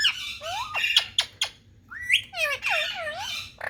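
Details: Indian talking parrot gives a rapid run of harsh, nasal, speech-like squawks with rising and falling glides, broken by brief pauses.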